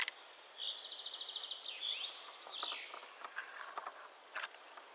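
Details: Song thrush by its nest in a spruce, singing: a rapid repeated rattle of high notes, then a slurred whistle and a falling sweep, followed by scattered clicks and a sharp tap.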